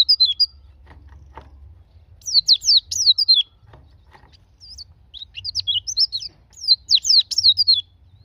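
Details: Caged white-eyes are meant to be stimulated by this white-eye song: three bursts of fast, high, scratchy twittering made of rapid downslurred notes, with short quiet pauses and faint low hum.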